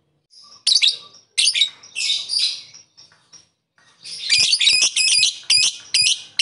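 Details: Lovebird calling to rivals with rasping, squawky high chirps, a pause, then a dense run of rapid harsh notes and a few separate sharp calls.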